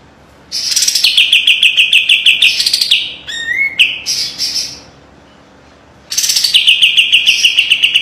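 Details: Kapas tembak white-eye delivering a piercing master song of tight trills: long strings of rapid high chirps, a sliding rising whistle and scratchy notes, a second of silence, then the chirping trill resumes.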